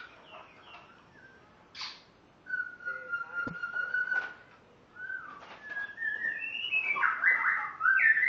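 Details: A spotted morning-thrush from Tanzania, on its first day at its new home, sings clear whistled phrases, some steady and some sliding or warbled, with brief pauses and soft background noise; a white-rumped shama also sings.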